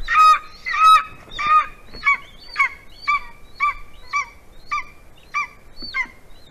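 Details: A female golden eagle in Latvia calls for her mate while perched at 11:09 AM on 9 February 2020, during mating, giving about a dozen short, ringing yelps, roughly two per second, loudest at first and then steadier and softer.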